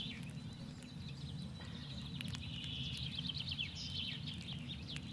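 Bramblings chatter in a steady stream of short, high, buzzy notes, several birds overlapping, over a heavy low rumble of wind or distant traffic.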